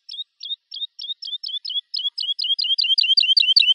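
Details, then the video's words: Woodlark singing widely spaced, clear notes that steadily accelerate into a fast, continuous rolling series, growing louder toward the end. "نصف ساعه من تغريد طائر الولوال Woodlark Alouette lulu"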